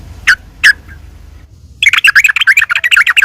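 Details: Yellow-vented bulbul singing in a fighting mood as a lure for other bulbuls; two sharp clicking notes, a short pause, then a dense, fast burst of harsh, scratchy chatter.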